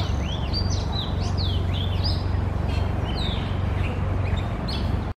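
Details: Oriental magpie-robin mated pair calling, a busy run of sweet whistled notes, many slurred up or down, following one another quickly and irregularly throughout, with a constant low hum of background noise.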